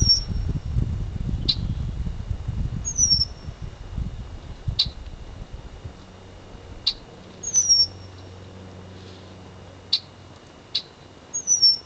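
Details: Female Red-winged Blackbird in the Florida Everglades attacking a Red-shouldered Hawk to defend her nest: thin, high, falling whistles mixed with sharp clicky chips every second or two; low wind rumble early on.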